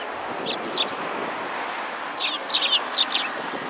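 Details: Sparrows meeting a visitor at a Tenmangu shrine on 18 September 2020: two isolated chirps, then a lively string of high, slightly buzzy chirps toward the end, with steady outdoor background noise.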